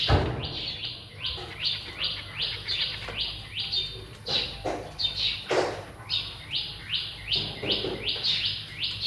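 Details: Caged zebra finches, parents feeding their young among three juveniles and three newborn chicks, 1 May 2023. A long run of quick, high, downward-sweeping chirps comes in close succession, with a few louder broadband clicks or rustles between them.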